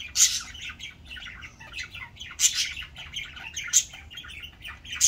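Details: Budgerigars relaxing and cleaning their feathers after an afternoon bath chatter in a busy run of high warbles and chirps, broken by sharper squawks.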